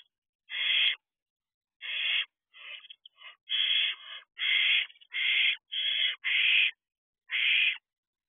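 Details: Several barn owl owlets preening each other in their box at night, June 2023; a rapid run of rough, breathy screeching hisses, ten or so bursts in eight seconds, some overlapping as if more than one owlet calls.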